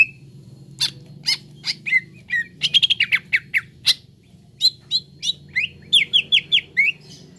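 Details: Grey-throated leafbird song used as training audio to get birds singing: sharp staccato chips and clicks in quick bursts, followed by short downslurred whistles, with a constant low hum underneath.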